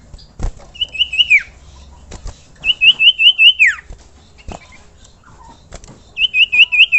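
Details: Common iora song for bird training: short bursts of rapid looping whistled notes, four to five per phrase, some ending in a steep downward slur, with clicks and faint background knocks between phrases.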